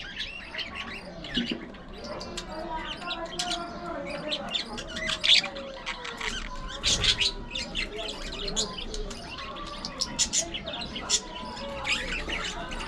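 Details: Colony of aviary budgerigars keeping up a steady, uneven chatter of high chirps, squeaks and short squawks, with softer warbling notes in between.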